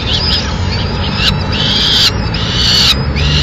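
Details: Peregrine falcon in Madrid giving harsh, scratchy, high calls in short bursts, roughly one a second, over steady city traffic rumble, as the male brings a swift to the nest and feeds the chicks.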